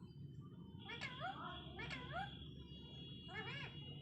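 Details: Talking parrot uttering three curving, sliding, voice-like phrases in four seconds, with a faint steady tone and low hum behind.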